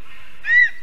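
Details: At a spruce nest in Zemgale, Latvia, a female lesser spotted eagle just arrived back from Africa to breed gives one brief, strong yelp, slightly rising then falling, in April 2022 at 6 PM.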